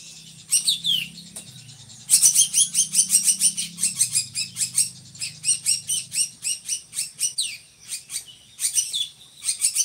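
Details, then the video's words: Drongo kept for tutoring other songbirds: a few scattered high whistles, then a long fast series of sharp, evenly spaced chips, repeated in rapid bursts with brief breaks. "SRIGUNTING GACORRR"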